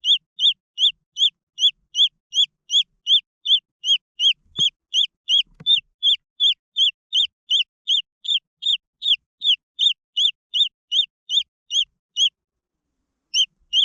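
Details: Green junglefowl chicks cheeping in a long, steady run of high arched notes, nearly three per second, briefly doubling up mid-series, with a couple of faint thuds, before a short pause and two final peeps.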